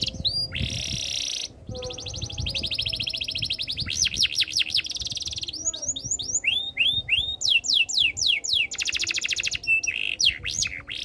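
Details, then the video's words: Canary song alternating dense high rattling rolls and quick series of falling and rising whistled slurs, with faint low background rumble. "KICAUAN BURUNG KENARI BIKIN KENARI GACOR DOR ● OCEHAN BURUNG KENARI BIKIN IRI"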